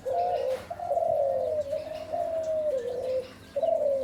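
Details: Spotted dove giving low, soft coos in a long, gently falling phrase with a brief pause before the next coo, over faint background hiss.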